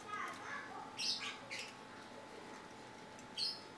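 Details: A tame, talking Javan myna (yellow-eyed) gives harsh, squawky speech-like notes in three loud bursts spaced about half a second to two seconds apart, over a faint steady hum.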